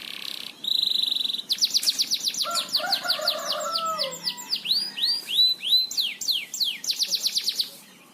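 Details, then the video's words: Canary singing loudly and continuously in a master recording made for training birds: sustained buzzy notes, rapid runs of high down-swept whistles, a lower warbled passage underneath, then fast repeated slurred notes. "Masteran Burung Kenari gacor ngebor"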